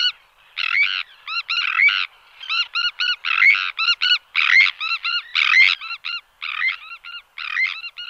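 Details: Sandwich tern calls, from recordings of displays and calls in flight and alarm calls in the colony: many loud, harsh, overlapping short calls in a steady chorus, several birds calling at once.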